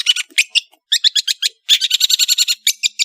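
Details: Harsh, rapid chattering from a long-tailed shrike from Madura. Clusters of scratchy notes build into a fast even burst of about a dozen grating notes.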